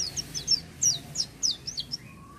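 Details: Oriental white-eye singing busily without supplements: a string of thin, very high twittering notes, each a quick downward slur, spaced about every quarter second, with a faint low steady tone near the end.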